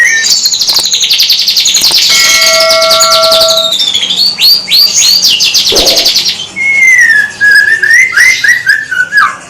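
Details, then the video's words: White-rumped shama singing, a captive show bird: a rapid run of buzzy, repeated chattering notes and sharp whistled sweeps, then a clear falling whistled phrase with chip notes near the end. "MENGAMATI BURUNG MURAI SUPER GACOR"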